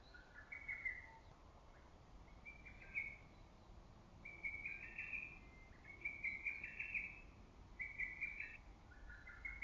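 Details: Lesser cuckoo calling persistently amid early-summer woodland; six whistled phrases of rapid broken notes, each about a second long and repeated every one to two seconds, over steady background hiss.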